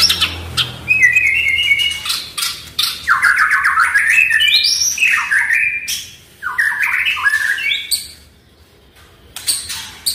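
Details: Caged Oriental magpie-robin song used to coax a quiet bird into singing: varied warbled phrases with rising and falling whistles and rapid slurred runs, clicks between them, and a brief pause before more notes.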